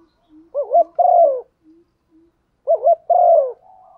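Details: Female spotted dove cooing to stimulate a male, a call used to excite decoy birds: two clear phrases, each a quick wavering double note followed by a longer falling coo, separated by about two seconds of quiet with faint soft notes.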